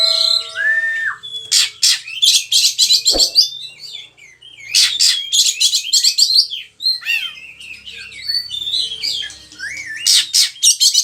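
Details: Oriental magpie-robin, a kacer in energetic song recorded as training material for other songbirds in Indonesia: a long falling whistle, then dense bursts of harsh buzzy chatter mixed with sharp whistled notes, delivered rapidly.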